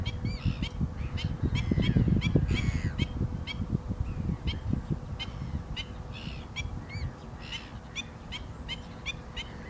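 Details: Black-winged stilt calling in a rapid, uneven run of clipped yelping notes, several per second, with gusty wind noise heaviest early on.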